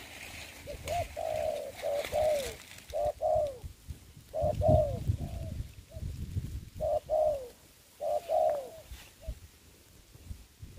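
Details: Spotted dove serving as a ground decoy for trapping in the covid season: mellow coo phrases come in uneven groups, each a brief note and then a drawn-out falling one, with low wind-like rumble underneath.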